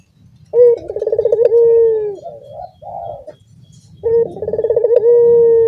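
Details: Barbary dove in a shared cage cooing in dorongan style, cagemates joining in: a throaty trill flowing into a long drawn hoot, softer brief coos in between, then a second full coo about three and a half seconds later.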